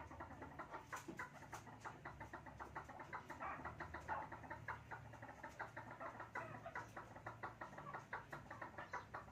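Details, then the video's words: Male and female chukar pair at play, giving a steady run of rapid, dry clucking notes, many per second, overlapping into a continuous chattering chorus with faint low background hum. "Chukar pairs Playing • Chakor Male and Female bird sound"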